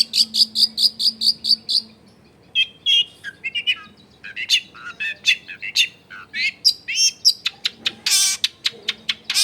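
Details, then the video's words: Long-tailed shrike in full song as a lure to set off other shrikes, recorded at home in a busy neighbourhood: opens with a rapid series of evenly spaced high chips, then a jumble of varied whistles, trills and buzzy notes. "SUARA CENDET GACOR PIKAT AMPUH BIKIN BURUNG CENDET LAIN LANGSUNG ON DENGAN MUDAH NYAUT GACOR DOR"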